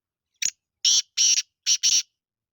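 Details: Free-living Sindhi black francolin calling with a short sharp note followed by four loud, raspy, grating notes in pairs, spaced by brief pauses, with no other sound behind them.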